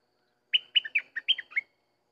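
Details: Sooty-headed bulbul song: one short, lively phrase of about six bright, clear notes. Several notes slur downward and the pitch jumps up and down, all within about a second, on a silent background.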